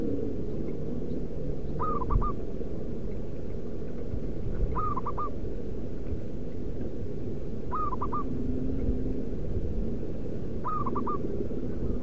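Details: Wild local zebra dove used as a lure to attract wild doves: four phrases of soft, quick-fire cooing notes, each group of three or four, spaced roughly three seconds apart over a continuous low rumble.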